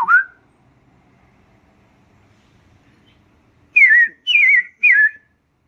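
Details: Red-crested cardinal, a regular visitor to a stay in Princeville, Kauai, Hawaii, in 2015: a short rising whistle, a long pause, then three quick slurred whistled notes that drop in pitch, over a quiet background.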